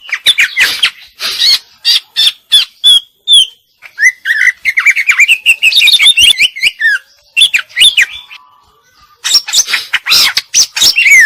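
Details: Energetic song of a female greater green leafbird: bursts of sharp clicking notes alternate with sweet, slurred whistled phrases and chatter, with a short quiet gap before a final noisy burst.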